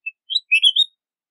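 A red-whiskered bulbul gives a brief, bright phrase: a lone chip, then a quick run of liquid, warbled whistles rising and falling, all over in under a second.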